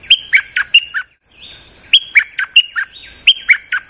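A bulbul sings bright, bubbly whistled notes in quick bursts of four or five, with a brief pause between phrases. No other sounds stand out.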